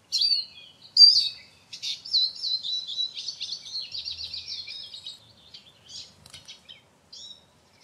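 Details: Eurasian siskin (Carduelis spinus) song: a rapid, high twitter of run-together chirps and trills, loud at first and fading, ending with a few scattered squeaky notes.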